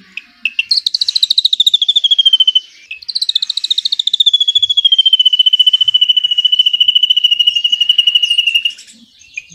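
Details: Drongo singing long cililin-type trills as tutor material for white-rumped shamas. After a few lead-in notes, a shrill rapid trill drops a little in pitch, breaks once, then runs on for about six seconds.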